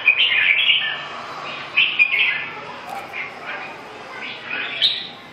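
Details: Red-whiskered bulbul singing short bright warbling bursts, several loud phrases spaced about a second apart, with quieter chirps and low hum between.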